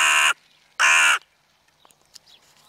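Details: Crows in the evening, two loud, raspy, nasal caws in quick succession, each lasting under half a second, followed by quiet with faint clicks and distant small-bird notes.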